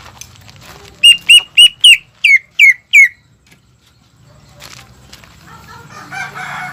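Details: Greater green leafbird gives seven bright, downward-slurred whistles in steady succession, followed by a low hum and soft rustling noise.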